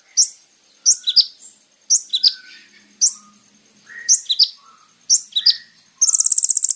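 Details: Olive-backed Sunbird singing vigorously, recorded for use as a lure to draw a response from other birds: repeated high, sharp chip notes in small clusters about once a second, ending with a rapid high trill.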